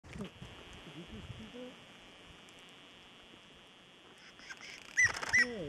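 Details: Tawny Antpitta (Grallaria quitensis) at Los Nevados, Central Andes, Colombia, giving two loud, clear whistled notes in quick succession near the end, after low murmuring voices at the start.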